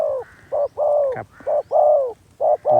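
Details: Spotted dove kept as a decoy to lure wild doves, giving loud, hollow coos: a short note followed by a longer, slightly descending coo, in spaced phrases, with faint background hum.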